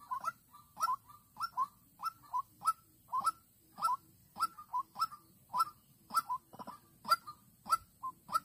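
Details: White-breasted waterhen used as a decoy to lure a rival, recorded 16/3/2022 in Vĩnh Long: a steady series of short, nasal, hooked notes, about one every half second, with faint low background rumble.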